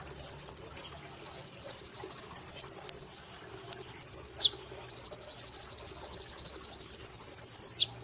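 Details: Brown-throated sunbird singing nonstop in the rapid 'nembak' manner favoured for cage-bird training. Long rattling trills alternate between higher and lower pitches, with brief sweeping flourishes and short breaks.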